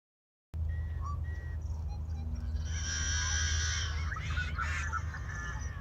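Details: A yellow-headed blackbird calls: a few short clicks and whistles, then a long, harsh, buzzing screech with rasping notes, over a steady low wind rumble.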